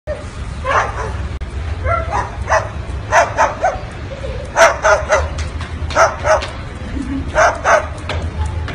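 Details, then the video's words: A parrot imitates a dog's bark with short, harsh, yappy barks in bursts of two to four. A steady low hum runs underneath. "parrot acting dog sound"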